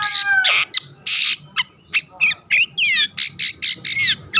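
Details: Long-tailed shrike song used to goad rival shrikes into singing: raspy screeches followed by a varied run of quick whistled slurs and buzzy rising notes, repeated rapidly.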